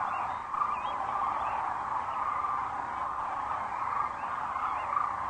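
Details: Wild sandhill cranes coming in to roost at sunset, Rowe Sanctuary, Gibbon, Nebraska, April 4, 2013, via crane cam; massed rolling calls form an unbroken, fairly loud din with a few higher notes poking out.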